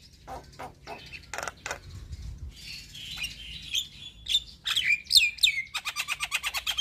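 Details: Black-winged starling, captive, song meant to prompt quiet or stressed birds to sing: soft scratchy notes build into loud whistled slurs, ending in a fast run of evenly spaced chirps.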